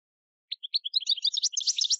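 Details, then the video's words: Goldfinch field song used to train novice decoy finches: a quick run of high tinkling, twittering notes accelerating into a bright liquid jumble. "Canto del jilguero CD campero para educar reclamos noveles"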